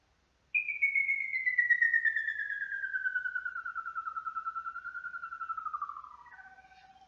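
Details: Tapaculo endemic to Brazil's southeastern Atlantic Forest sings a long, fast trill of clipped notes sliding steadily from high to lower pitch over about five seconds, a song audible across the valley; a brief other bird note ends it.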